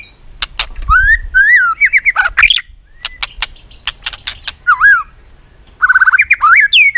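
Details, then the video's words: White-rumped shama in competitive song, clicking continuously while flicking its tail: rich whistled phrases, rising and falling slurs between loud sharp clicks, and a rapid stuttering run near the end. "chòe lửa tạch liên tục đập đuôi dùng kích chòe lửa lên lửa hót đấu"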